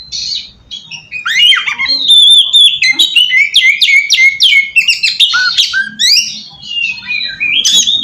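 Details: Oriental magpie-robin song used to lure other magpie-robins, a varied stream of rising whistles, sharp clicks and buzzy notes, several pure high tones near two seconds, lively and unbroken throughout.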